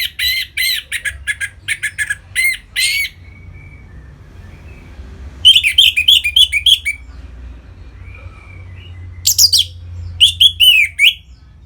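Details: Ngeplong song of an orange-headed thrush, played to bring caged birds into breeding mood: three separate bursts of rapid, repeated chirping notes divided by quiet gaps, and a faint thin whistle trailing after the first burst. Steady low hum.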